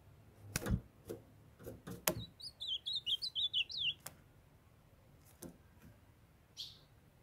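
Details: A young captive male ultramarine grosbeak answers his calling female with a rapid run of roughly nine wavering high notes in the middle, among several sharp knocks and taps before and after.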